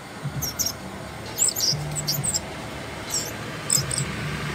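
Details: Asian brown flycatcher uttering brief, high, clicky chirps in small clusters, scattered irregularly, over a steady low hum.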